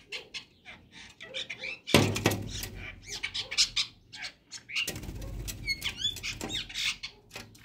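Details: Chestnut-tailed starlings together early in the morning, mixing quick chirps, squeaks and rising whistles with harsh chatter, interrupted by two loud broad bursts of rustling or flapping noise.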